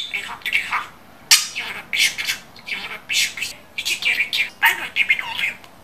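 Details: Talking pet budgerigar mimicking Turkish speech: rapid, buzzy, high-pitched syllables delivered in short phrases with brief pauses between them, sounding like squeaky, compressed human words.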